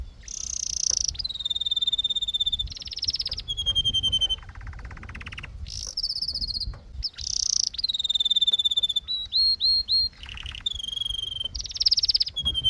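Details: Canary in long varied song, switching between dense buzzy trills and clear, high whistled rolls, each phrase lasting about a second with brief pauses.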